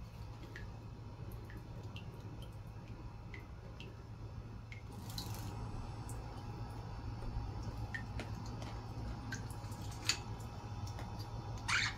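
Scattered water drips and splashes over a steady low indoor hum, with no clear bird voice.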